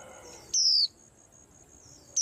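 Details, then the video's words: Thin, piercing whistle from a white-eye on a cage rack that sets the others off, falling gently in pitch over a quarter second, then a second identical note begins after a pause; faint background hum. "Tiếng Chim Khuyên Làm náo loạn cả giàn"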